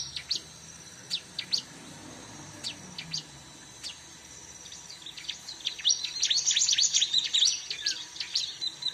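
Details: Bar-winged prinia sound for luring birds: sparse, sharp high chirps at first, then a fast, bright burst of trilling twitters in the last few seconds.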